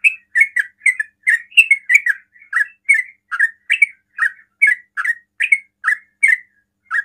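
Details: Sooty-headed bulbul delivering its quick 'ropel' song to draw answers from other bulbuls: a dense string of liquid chirps, each note swooping briefly, roughly two per second, against a silent background.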